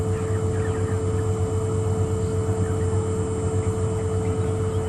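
A steady vehicle engine drone with a constant hum fills the recording, and no animal calls can be picked out.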